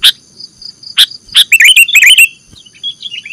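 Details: Sooty-headed bulbul played as a lure for trapping birds: sharp broadband chack notes, then a quick cluster of bubbly, warbled chirps, with a faint steady high whine in the background.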